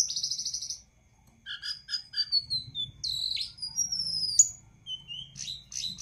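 A bird sings a lively, high-pitched jumble of sharp chirps, short repeated notes and sliding whistles, delivered in quick bursts with brief pauses.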